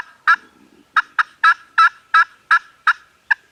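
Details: Farm turkeys gobbling, recorded on a Canon G7X camera: a fast run of about nine sharp, rattling bursts, roughly three per second, each with bright layered overtones.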